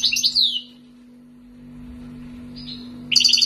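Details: European goldfinch taken from the wild and raised two years in Algeria gives a short twittering phrase, a lone slurred note after a pause, then a sudden dense chattering burst; constant low hum beneath.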